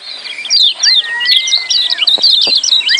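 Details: Busy 'ciak' chatter of lemon-bellied white-eyes, used to coax silent birds into song: tight runs of high chirps around a sustained steady whistle that falls at its end.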